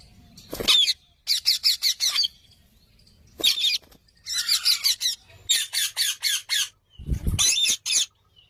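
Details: Parrot chirping: bursts of rapid, high, buzzy chattering notes, each lasting about a second, repeated with short pauses. Low thumps occur between bursts.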